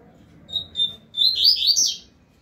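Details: Double-collared seedeater in a face-off with a second bird; two short, soft whistled notes, a pause, then a loud burst of fast, twisting high slurs climbing steeply at the end.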